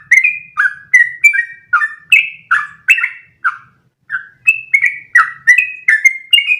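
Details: Yellow-vented bulbul delivering long one-breath rolling song meant as a master recording for other birds to copy; bright bubbly whistled phrases in quick succession with one short gap midway.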